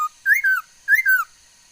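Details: Laughingthrush, said to sing many kinds of sounds, recorded 13 August 2021: a brief high note, then two clear slurred whistles that rise and fall, the second answering the first after about half a second.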